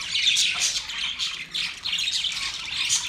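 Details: Short stretch of budgerigar mating chatter, with bright, buzzy chirps and warbled phrases rising and falling in quick waves.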